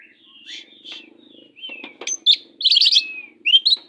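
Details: Oriental magpie-robin used as a master singer for other kacers, starting with soft slurred whistles over a faint low hum, building to sharp chips and a loud buzzy trill followed by a rising whistle.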